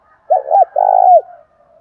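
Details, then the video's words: Low spotted dove coo, calling to draw an answer from a kept house bird: two quick short notes followed by one long drawn note that bends down at the end, then a faint trailing murmur. "Tiếng cu đất thúc và gáy gọi bổi nhà gáy theo rất sung mãn"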